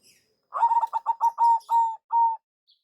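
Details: Lure phrase of a local-strain zebra dove, a tumbling run of fast clipped notes that stretches into three long, steady coos, with faint high chirps around it.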